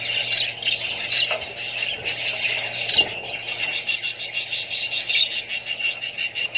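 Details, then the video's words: Australian budgies in a group with other parrots and babies, producing rapid, pulsing high chirps and harsh squawks, almost trilling in places, packed densely across the whole stretch. "australian budgies parrots more birds & babys"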